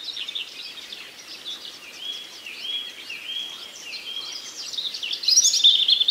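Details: Common nightingale in a forest chorus, giving a string of steady, level whistled notes repeated several times a second, then a sharp burst of high trilled phrases, while many other birds chirp throughout.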